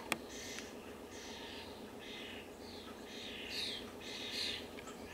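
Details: A crying European starling fledgling being fed by its parent in a North American backyard gives harsh, raspy begging churrs, about eight in five seconds, some louder and more urgent near the end, after a sharp click at the start.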